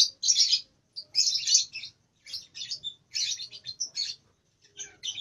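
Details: Young lovebird, around two months old, trying out its long song in short pieces; harsh buzzy chatter in separate bursts with silent gaps between them.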